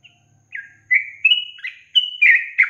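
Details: Yellow-vented bulbul singing a training recording meant for teaching songbirds a long trill style: after a faint pause, a sequence of bright, slurred whistled notes steps upward, then drops, ending in bubbly chattering phrases.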